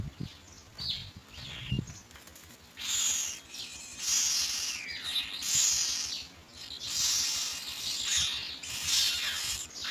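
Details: Young mynas waiting to be fed as adults bring white pellets of food: harsh, hissing, broadband squeals in bursts of one to two seconds, rising and falling in loudness, with soft thumps and rustling below.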